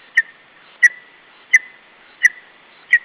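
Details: Lesser spotted eagle chick defending food against a parent at an Estonian nest, late afternoon of 21 July 2012. Crisp, steady-pitched peeps, each starting with a tick, repeat regularly about every two-thirds of a second.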